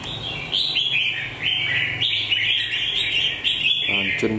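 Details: Singing red-whiskered bulbul, its beak base molting and one faint spot on its shoulder, giving a continuous string of loud, clear chirped and whistled notes, with a short human voice at the end.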